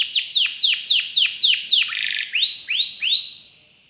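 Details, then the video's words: Canary gacor song in its special cengkok style: six loud downward-slurred whistles at a steady pace, a brief rasp, then three rising arched whistles before the song fades out. "KENARI GACOR CENGKOK ISTIMEWA,ISIAN MEWAH"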